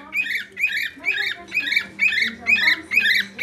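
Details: Close, repeated whistles from a pet bird seeking attention indoors: seven rhythmic, slightly buzzy notes, each about a third of a second long, over a low steady background hum.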